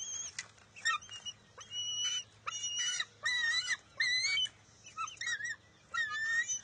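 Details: Bald eaglet at the nest in June, competing with its mother over a fish: a run of loud, high squealing and chittering notes in separate bursts, some with steady harmonic bands, some wavering, with short quiet gaps between.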